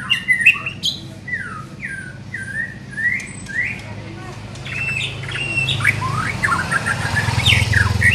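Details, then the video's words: Young white-rumped shama during mental training: a varied run of clear whistled notes, slurred up and down, with a denser burst of chattering phrases near the end over a steady low hum. "Melatih Mental Murai muda"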